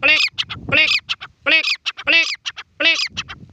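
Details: Grey francolin calling: loud, harsh, ringing notes with rich upper tones, delivered in repeated phrases of one long note followed by several short clipped notes, about every 0.7 seconds.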